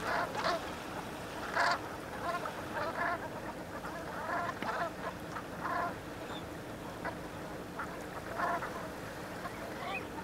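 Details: Flock of brant geese at Penfoulic, Fouesnant, on 30 November 2010, giving short nasal calls in loose, overlapping bursts, several per second at times, over steady background noise.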